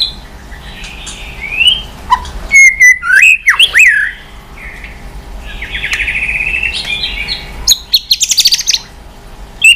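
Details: Excited White-rumped shama, tail flicking, voice changing in 'kéo dây yến' swift-like style: soft buzzy notes, then a loud burst of sweeping whistles and clicks, a rasping passage and a fast rattled ending.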